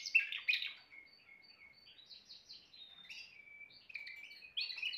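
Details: Timbrado canary singing: two harsh chattering bursts open, then soft sustained whistled notes and quiet rolls, ending with a louder trilled phrase.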